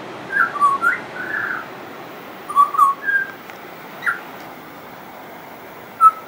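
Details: Friendly pied butcherbird singing on and on, with mimicry noted: clear fluting whistles around mid pitch, short slurred phrases in bursts, a long pause, then single whistled notes; faint high ticking insects or birds behind.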